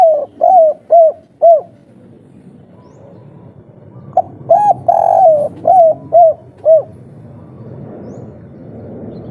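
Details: Riled-up spotted dove, local natural 'kuk 3' style used to lure other doves to respond. Four short hooked coos, a quiet gap, then six more with one longer slurred note, over soft background rumble.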